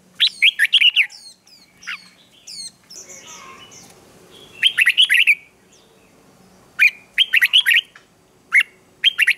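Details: Red-whiskered bulbul morning song used to train and stir wild-caught birds into competitive singing: loud, bright whistled phrases of quick rising and falling notes, repeated in bursts with a softer warbling pause midway.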